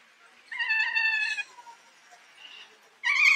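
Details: A kea, seen close up, gives a drawn-out, nasal, almost cat-like wail, likened to a horse neighing, lasting about a second, then a fainter note, then starts another loud screech.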